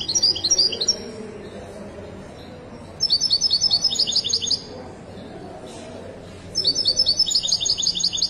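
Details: A Moroccan (widani) European goldfinch sings three bursts of rapid, high, tinkling twitters, each about one to two seconds long, against a faint background hiss.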